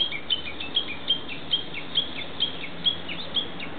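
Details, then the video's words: Woodland Japanese bush warbler in a nature park giving a steady series of short bright high notes, each followed by a lower slurred note, repeating roughly twice a second, with a soft low hum underneath. "ウグイスの鳴き声 のみ"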